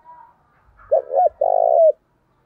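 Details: Spotted dove decoy bird cooing to provoke fights: a soft lead-in, then two low hollow coos, the last long and drawn out.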